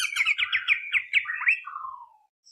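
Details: Greater green leafbird in fast rolling song used as a lure: a quick run of rising whistled notes over a buzzy background, ending in a long descending slurred whistle.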